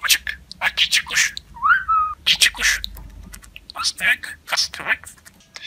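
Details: Pet budgerigar talking: quick strings of chattering, speech-like syllables broken by a single rising whistle, with bursts repeating about every half second.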